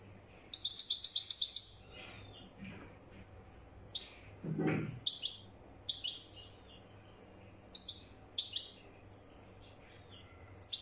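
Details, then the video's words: European goldfinch called a wedani bird: a brief twittering phrase opens, then scattered sharp high chirps, single or paired, repeat every second or so over a low steady hum and a soft thump. "تغريد لطائر حسون ويداني"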